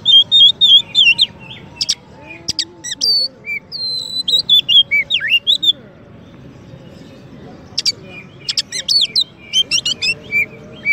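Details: White-rumped shama, a champion songbird used as a master song for training, starts with rapid repeated whistles and clicks, goes quiet for a couple of seconds, then resumes with bright varied phrases.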